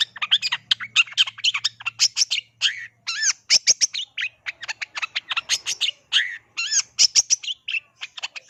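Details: Full-tilt gacor song from a long-tailed shrike: an almost continuous barrage of sharp chips, squawks and down-slurred whistles lasting over eight seconds, with a low hum in the first two seconds.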